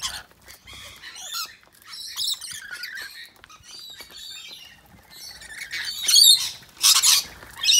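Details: Rainbow and Scaly-breasted Lorikeets chatter in harsh, high screeches and squawks in the afternoon, with several birds overlapping in bursts that grow louder toward the end.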